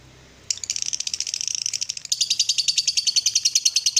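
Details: Lovebird in a morning trainer recording meant to trigger trilling and long chatter in other lovebirds; after half a second of quiet, a fast buzzy chatter starts, then turns into a louder, quicker rattling trill.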